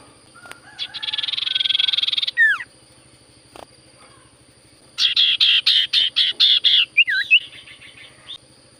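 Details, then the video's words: Sirtu cipoh in full vigorous song, used to get quiet birds to reply; a long buzzy trill, then a fast run of sharp repeated notes and a looping whistle, over a constant high-pitched electronic hum. "Burung sirtu cipoh gacor suara paling Top cer sirtu cipoh diam langsung nyaut"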